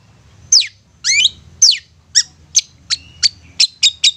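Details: Long-tailed shrike song played as a lure for mute birds: down-sweeping whistles and a rising double slur give way to a quickening series of short, clipped high chips repeated about every quarter second.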